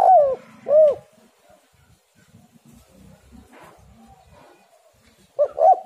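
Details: Spotted dove, used as a lure call. Two hollow, down-slurred coos open the clip, then a long quiet stretch with faint low murmurs. A pair of quick coos comes at the very end.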